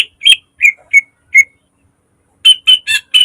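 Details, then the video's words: Caged green leafbird, recorded as a lure and training model: five clear, falling whistled notes, a short pause, then four harsh, rasping notes in quick succession. "Siulan burung cucak ijo gacor tembakan tajam rapat full isian mewah||Pancingan dan masteran"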